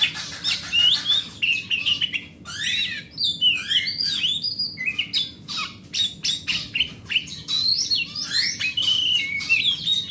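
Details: Song of a big-bodied grade A oriental magpie-robin kept at home, used as a lure for non-singing birds: rapid, rich run of sweet whistles, sharp clicks and scratchy trills, almost continuous for ten seconds.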